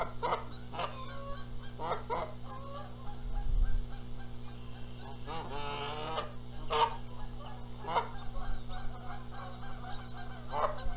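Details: Nesting Canada geese in Charlo, Montana, April 14, 2022, squabble over incubating the eggs while the gander flies in adding noise. Loud nasal honks repeat every second or two, with a longer ragged run of honking midway and a low background hum.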